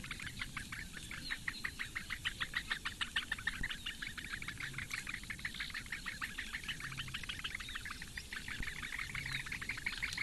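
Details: Eurasian bittern chicks, four in the nest, fed at morning breakfast by their mother in Latvian reedbeds at Lake Engure, mid-May 2017; dense clicking calls repeated quickly and evenly, with faint low hum beneath.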